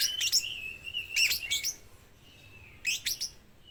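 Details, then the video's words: Speckled young oriental magpie-robin in full song that has picked up lovebird sounds, kept as a lure to get other magpie-robins singing; bursts of harsh, high chattering notes alternate with thin, level whistles and short pauses. "kacer trotol habis mambung nelan lovebird"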